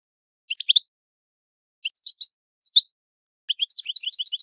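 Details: Italian goldfinch in the old-style song, giving short bursts of bright tinkling twittered notes at intervals, then a quicker run of chirps at the end, with no other sounds.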